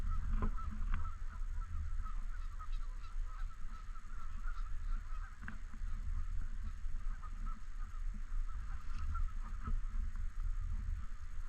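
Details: Long stretch of Canada geese honking at a lake in a park: scattered, moderately faint nasal honks throughout, several sharp knocks or thumps, all over a strong low rumble.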